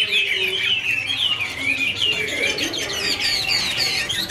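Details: Chinese hwamei pair dancing and singing together: flowing run of smooth falling and rising whistles, then quicker higher notes, with a soft low murmur underneath.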